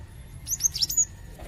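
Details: Gelatik batu (cinereous tit), a bird prized by songbird keepers for its melodious voice and used as a tutor bird; a quick burst of sharp, very high chirps and short whistled notes lasting about half a second over a low background hum.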